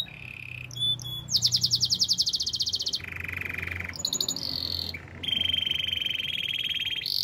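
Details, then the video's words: Singing canary used for song training, delivering a varied sequence of long rolling trills at low and high pitches, buzzy rattles and short whistled tours, each phrase held one to two seconds. "Your Canary Will Not Stop Singing With This Canary Training"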